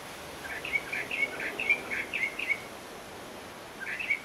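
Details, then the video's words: Bahama Mockingbird calling in the Bahamas: a run of short, chirpy notes around mid-high pitch, about two per second, then a pause and a final pair, over steady background hiss. "Bahama Mockingbird call"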